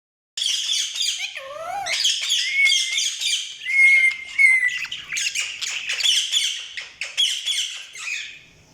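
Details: Pet budgerigars chirping in a steady, busy stream of scratchy, harsh chatter, broken by short squawks, a few clear whistled notes and one falling slurred call.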